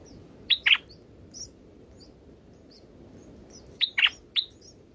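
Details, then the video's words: Bulbul nestlings in the nest, being fed by their mother: short, high, rasping chirps in two brief bursts of a couple of notes each, with faint thin squeaks between them, over a low steady hiss. "Bulbul birds in Nest"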